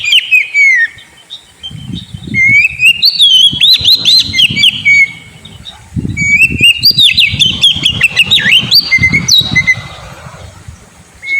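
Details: Oriental magpie-robin song used as a lure for a sulking kacer, two long phrases of rapid whistles and clipped chips, with heavy low thudding and rustling throughout.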